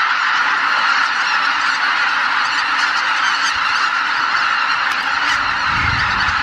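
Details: Over 83,000 Greater white-fronted geese leaving their roost at dawn at Miyajima-numa marsh on 23 April 2017 in poor weather, recorded on a Canon PowerShot SX710HS: a dense, unbroken roar of overlapping honking calls with no pause.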